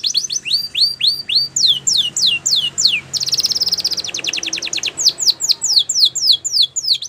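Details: Spanish Timbrado canary song for training: rising-curved notes repeated about every third of a second, a burst of very rapid trill, then long series of falling sweeps.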